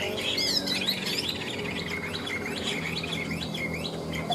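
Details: Chinese hwamei kept in a cage, singing ngũ trường style: clear, loud whistled phrases that rise and fall in quick, bouncing slurs, repeated in a continuous run with a faint low hum behind.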